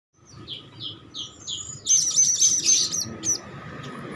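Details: Hand-fed young Blue-crowned Hanging Parrot, already calling actively: a row of thin, sliding high squeaks, then a dense burst of sharp, buzzy high chirps about four per second. A faint steady tone and low background rumble run underneath.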